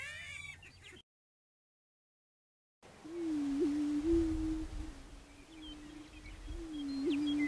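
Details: Greater prairie-chicken (Tympanuchus cupido) calling: a brief higher-pitched call and a moment of silence, then a low, steady, hollow hooting drone that wavers slightly for several seconds.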